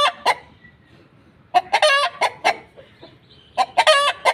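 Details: Hen cackling while laying an egg: a couple of clucks, a pause, then two bursts of rapid clucks. Each burst peaks in a strained, drawn-out squawk.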